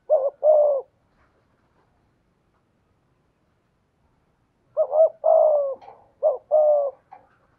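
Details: Decoy spotted dove voicing the 'giọng thổ' song style: one two-note coo, a pause of about four seconds, then a burst of three paired coos, low, husky and falling in pitch.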